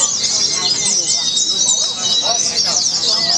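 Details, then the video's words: White-eye competing at a songbird contest event in Semarang, Indonesia, singing tirelessly: dense, very high twittering trills and quick sweeping chirps pour out without a break, with faint human voices and crowd noise underneath. "burung mewah nembak tanpa lelah durasinya ngeri"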